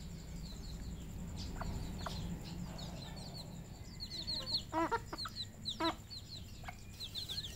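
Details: Red junglefowl kept on a Cambodian farm, uttering a few short clucks followed by two sharp, harmonic calls near the end, over a steady low hum and scattered high peeping.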